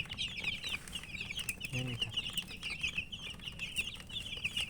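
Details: Many colourful domestic chicks with a hen, chirping in a dense, continuous chorus of high, quick peeps. A brief low grunt or cluck sounds near the middle.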